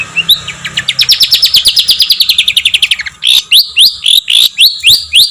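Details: Songbird used as master audio for competition birds: a fast, slightly descending rattle of crisp notes for three seconds, then loud, sharply rising whip-like calls repeated about twice a second.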